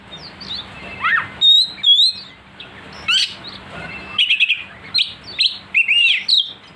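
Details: Oriental magpie-robin goaded to sing fiercely, mixing descending slurs, sharp chips and clear whistles in clusters, growing denser and louder toward the end, with a faint steady hum.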